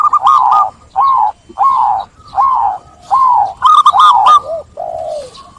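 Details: Zebra dove of a local strain singing clearly to draw other doves into song. Steady series of mellow cooing phrases, about one a second, with a faster rippling trill near the end.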